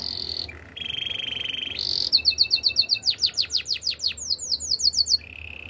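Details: Spanish Timbrado canary with a high trill, a lower rolling buzz, then a rush of clipped notes becoming loud falling whistles repeated several times a second, ending on a soft low roll.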